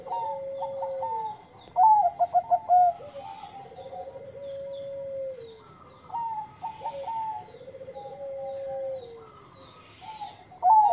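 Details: A Bangkok-type zebra dove (perkutut), played as a lure to draw quick answers from other doves, sings soft, rapid staccato coos that run into longer, gently falling cooing notes.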